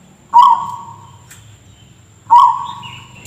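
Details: Zebra dove (perkutut) with a cough-like voice: two sudden harsh notes two seconds apart, each fading into a drawn-out tone, the second followed by a thin higher tone, over low hum and a constant high whine.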